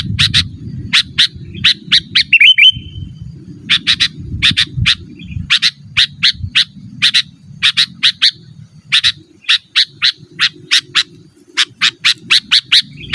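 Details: Sooty-headed bulbul vocalizing for calling wild birds and as a training master for cage birds; long series of crisp, evenly spaced chirps, often in pairs, with a brief warbled phrase early and quiet background.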